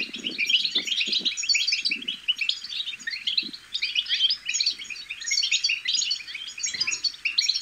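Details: European goldfinch chicks' babble for motivating goldfinches to sing: unbroken, busy high-pitched twittering with quick trills and buzzy chirps, and a few short low thumps and rustles early and near the end.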